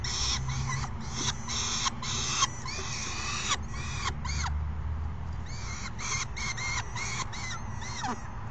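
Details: Peregrine falcon chicks screeching at an adult at 12:17 PM on May 29, 2022: rapid harsh, raspy screams pulsing several times a second, some bending downward, over a low hum.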